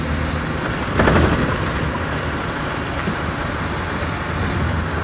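Steady rain-like hiss and low vehicle rumble throughout, with a brief louder burst near the first second and no animal calls.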